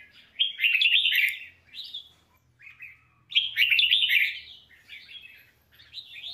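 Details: Red-whiskered bulbul song for voice training, two loud warbled phrases about three seconds apart, each followed by softer trailing notes.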